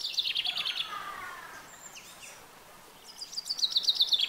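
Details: Common chaffinch giving soft, melodic song: a fast high trill of repeated notes opens, a lower sliding phrase follows, then after a quiet gap another rapid bright trill of evenly spaced notes starts up.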